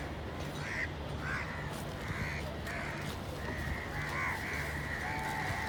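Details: Crows calling, spaced hoarse caws that grow busier toward the end, mixed with a few cleaner, higher drawn-out notes, against a low steady hum.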